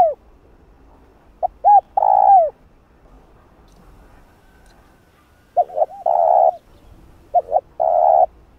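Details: Spotted dove calling with urging coos to lure wild doves for trapping in Vietnam: two full phrases, each of quick short hollow notes followed by a long, slightly falling croo, roughly four seconds apart.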